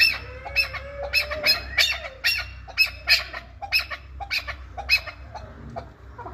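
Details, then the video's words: Chukar partridge from Qabodiyon, Tajikistan, uttering spaced, harsh, high rasping notes about two per second above a steady low hum. "Кабки Кабодиён"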